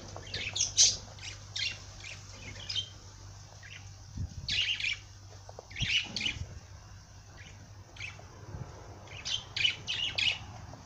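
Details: Singing parrot giving repeated clusters of sharp, high chirps and squeaky twitters, several bursts spread over about eleven seconds, with a steady low hum underneath.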